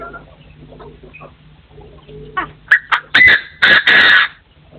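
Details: Partridge crowing by forest standards, 2024: quiet scattered chatter at first, then a series of loud, harsh, clipped bursts repeated in quick succession before fading out.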